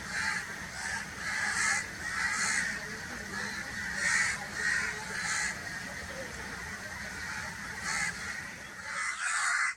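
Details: Repeated rasping crow caws, short harsh bursts coming in uneven runs over a constant noisy background hiss, ending abruptly.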